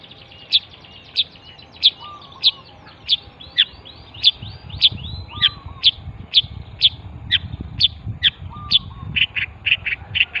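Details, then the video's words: Javan pentet repeating clipped high chirps roughly every half second, steady and insistent, with faint lower whistles and a low rumbling background noise in the second half. "misteri pentet jawa"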